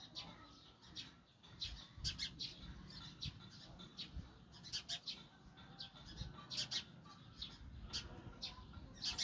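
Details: Baby sparrow being fed by adult sparrows, giving bright, high, sharp chirps in quick bursts and clusters, some doubled, recurring throughout over faint low background rumble.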